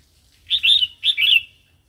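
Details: A single short two-part phrase of red-whiskered bulbul wild song, bright and bubbling, rising then dropping, meant for teaching chicks and provoking new birds.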